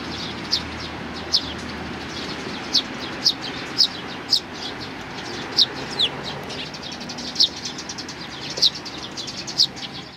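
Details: Eurasian tree sparrows on a bench, coming to be fed, 3 June 2020. A steady run of bright, high chirps, about eleven in ten seconds, some doubled, over faint traffic hum.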